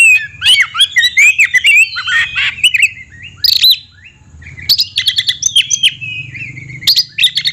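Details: Oriental magpie-robin delivering a varied song of sharp whistles, buzzy slurs and quick chips, a short quiet stretch, then a long descending whistle amid renewed rapid notes; low hum beneath.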